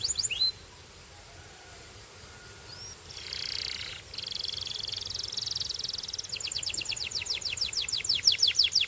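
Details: Belgian singing canary singing, with a few brief whistled slurs, then a soft buzzy passage, and finally a rapid, high, rhythmic trill over faint background hiss.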